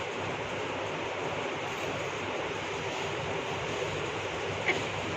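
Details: Even, hissing background noise throughout, with one faint click near the end and no animal voice.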